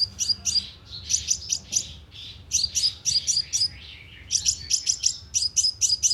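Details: Loudspeaker-trap lure of a sunbird: bright, high, staccato chips in tight bunches of four or five, separated by brief quieter spells, with a steady low background hum.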